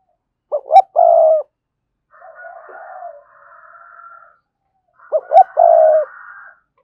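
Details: Strong-voiced spotted dove kept as a decoy, singing standard decoy song. Two loud phrases of two quick notes and a long level croon, with a faint higher sustained tone and soft low cooing between them.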